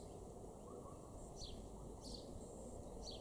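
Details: In a garden in Weener, East Frisia, far northwest Germany, in June 2021, a male house sparrow gives three short, bright chirps about a second apart, each dropping slightly in pitch, over a steady low rumble of background noise.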